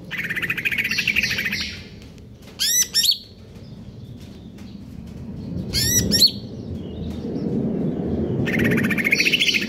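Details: Caged greater green leafbird in stable condition, singing in the konslet kejer nembak style: dense rapid buzzy chattering bursts, broken by sharp whistled upward-sweeping notes repeated in quick clusters, over a low background rumble.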